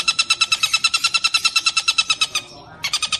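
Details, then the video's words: Long-tailed shrike song: a fast run of harsh, buzzy notes at about seven per second, steady in pitch, pausing briefly near the end before the rapid notes resume. "Suara Tengkek Buto Gacor"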